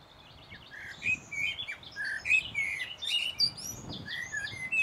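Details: A common blackbird (Turdus merula) in Finland on 1 June 2016 sings mellow, fluted phrases mixed with thin, high twitters, over a busy background of other small birds chirping.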